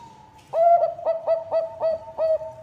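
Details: Bangkok zebra dove singing energetically, its song offered as a lure to make other birds sing: after a faint lead-in tone, six evenly paced, resonant coos, each briefly rising then steady.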